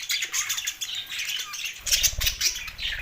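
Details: Male budgerigars kept as pets, two of them, trade harsh squawks and thin high chirps in a short, lively burst, with a soft thump partway through.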